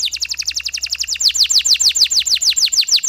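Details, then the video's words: Canary singing a long chattering song used as a lure to stimulate stressed canaries: a rapid run of sharp high notes, then steady, evenly repeated downward-sweeping whistles, about three per second. "PANCINGAN KENARI STRES, KENARI GACOR PANJANG DENGAN JEDA"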